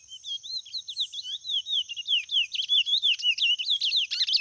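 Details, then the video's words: White-mutation chestnut-bellied seed finch pouring out a continuous quick series of bright whistled loops and slurs, steady and fluid, growing louder toward the end. "Curió Branco mutação show de cantoria"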